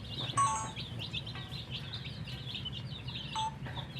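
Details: Baby chicks peeping while wanting water, high short chirps repeated over a low hum, interrupted by a few sharp electronic beeps.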